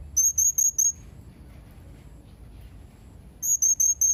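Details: Blue-crowned hanging parrot calling in two quick runs of four piercing, high-pitched whistled notes, separated by a silent pause of about two and a half seconds, with only a soft low hum in the background.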